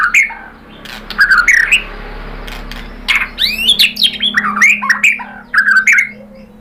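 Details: Murai batu, or white-rumped shama, singing a pancingan lure meant to make a rival answer excitedly. Varied phrases of rising and falling whistled sweeps are broken by sharp clicks and squawks, in bursts separated by brief pauses.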